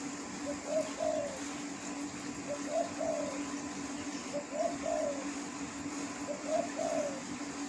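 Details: Four evenly spaced coo phrases from a wild spotted dove, each a brief lead note then a longer, softly falling one, about two seconds apart, with a continuous low hum in the background.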